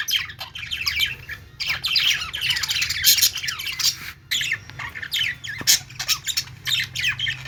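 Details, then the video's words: Budgerigars chirping in a dense, continuous flock chatter of squawky, buzzy notes and quick rising and falling warbles, with many birds overlapping; a steady low hum runs underneath. "Budgies sounds | parakeet chirping sounds"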